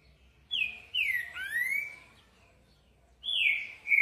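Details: Green-winged saltator (trinca-ferro) singing a song style called "boi": loud, clear whistled phrases of falling and rising slurred notes, one bright phrase followed after a pause by another strong whistled phrase, over a quiet background.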